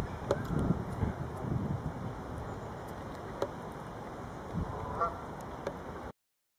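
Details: Canada geese feeding in West Park, Wolverhampton, on 14 February 2011; a few short nasal honks rise at intervals above a steady low rumble, with scattered soft clicks and knocks between calls.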